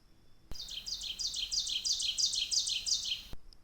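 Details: Ovenbird song, a territorial song from an automatic timer recorder placed on a tree in spring: a rapid, ringing series of high two-note phrases, about three per second, that grows steadily louder, like 'teacher-teacher-teacher'.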